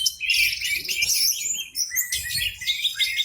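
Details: Orange-headed thrush in a cage, singing at full volume with spread tail; brief bright burst of piercing whistles and chatter, a short dip, then a fresh rush of notes.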